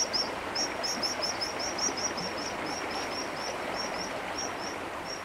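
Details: White-throated dipper at a nest with five chicks in Taganay National Park, late May, adults carrying food to the young by a river: thin, high-pitched calls repeated rapidly, several per second, over steady rushing water.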